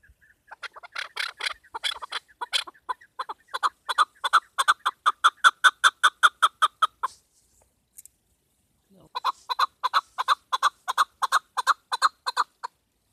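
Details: Chukar partridge, tagged as a female, giving a hunting-lure call: a long, even series of loud clucking chuk notes, about two or three per second, building up, pausing, then starting again.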